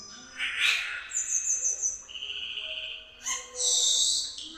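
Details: Cucak keling song used as a lure to make other birds sing: a mix of clear sustained whistles at different pitches, some very high and level, with rougher harsh bursts between them.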